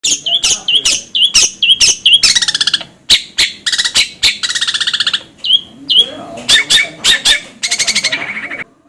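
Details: Long-tailed shrike: a busy run of harsh, broadband chattering notes mixed with short upslurred whistles and a few fast buzzy trills, delivered in quick bursts with brief pauses.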